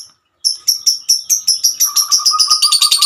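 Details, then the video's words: Long ngekek trill of a female lovebird: high, clipped notes repeated steadily, speeding up until they merge into a fast, continuous chattering trill with a lower buzzing undertone. "Kicauan burung Lovebird"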